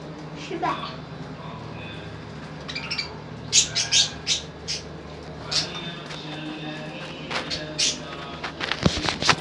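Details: Lovebirds chattering in quick, sharp chirps and squeaks, bursts coming irregularly and bunching toward the end, with a constant low hum behind.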